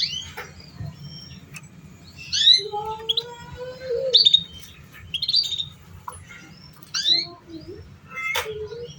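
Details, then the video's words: Training song for young canaries that are still learning: scattered high chirps and trills mixed with lower drawn-out whistles, in bursts with short pauses, a faint low rumble underneath. "Pancingan Suara Kenari Paud"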